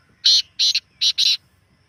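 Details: Partridge calling, offered as a sound to get a captive partridge singing more: four harsh, buzzy notes in two closely spaced pairs, each loud and rasping, against near silence.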